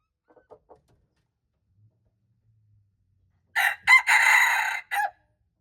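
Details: Red junglefowl recorded March 2, 2025, crowing once: two short harsh notes, then a long buzzy harmonic note ending in a brief falling syllable, preceded by a few faint clicks.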